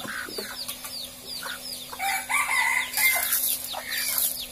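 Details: Sumatran junglefowl kept in an enclosure while their food and water containers are cleaned with antiseptic floor cleaner; short harmonic clucks rise and fall over scraping and clattering, with thin chirps from small birds above.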